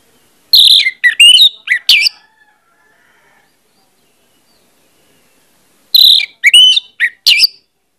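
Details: Lure recording of orange-headed thrush: two matching bursts of four or five loud, varied whistled notes, sharp and slurred, about five seconds apart with silence between.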